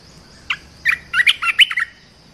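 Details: Red-whiskered bulbul singing a training song for young birds: a brisk run of seven bright, slurred whistles, with the later notes packed closer together, then silence; faint steady hiss behind.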